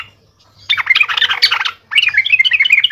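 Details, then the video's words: A yellow-vented bulbul, used as a lure call and likened to a ghost child's voice, gives two quick bursts of bubbly, chattering notes. The second phrase is clearer and more whistled, bouncing up and down in pitch. "gacor nya trucuk seperti suara kuntilanak anak"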